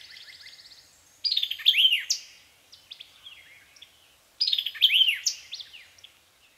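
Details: A singing White-eyed vireo at Land Between the Lakes, Kentucky, in 2010 gives two emphatic, snappy phrases of sharp slurred notes about three seconds apart; a faint, fast trill from another bird runs underneath at the start.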